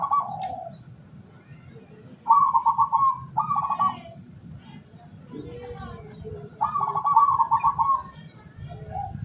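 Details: Zebra dove of a local line, kept as a decoy to draw in wild doves, 17 August 2023. Trilled rolling coos in several bursts separated by pauses, with a sharp click and low background murmur.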